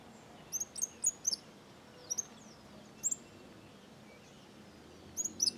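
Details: Cattle tyrants in a small flock in the sertão of Bahia give sharp, thin, high-pitched squeaks in quick doubled and tripled notes, separated by pauses of about a second, over quiet background hiss.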